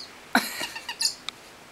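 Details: A male pet parrot, unusually chatty and being offered hard-boiled egg, gives a quick laugh: about five short, raspy, nasal notes over one second, the first loudest, then a single thin chip.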